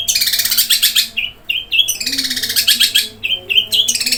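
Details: Long-tailed shrike singing in the 'gereja kuntilanak' style, described as roll, speed, tembak, gacor, fighter: dense, rapid, high chattering phrases with harsh buzzy bursts, broken by short gaps and clipped whistled notes.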